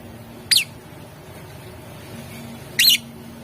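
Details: Lovebird song used to provoke a rival lovebird to answer; two isolated shrill chirps roughly two seconds apart, against a constant low electrical-like hum.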